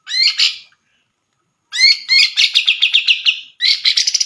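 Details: Grey-cheeked bulbul, a popular contest songbird, singing tutor song used to train other birds: loud burst of harsh notes, a pause, then a fast rattling series of chattering notes about four per second.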